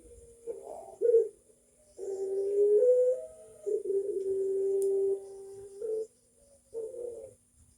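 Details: Barbary dove cooing in the pelog voice type: a short low note, then two long, smooth, mellow coos with a slight step in pitch, ending with brief soft cooing notes, in a quiet setting.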